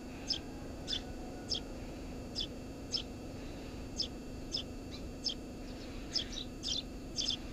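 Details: Eurasian tree sparrow calling from a nest under a house roof, about a dozen crisp chirps at uneven intervals, a few given as quick pairs, over low background hum.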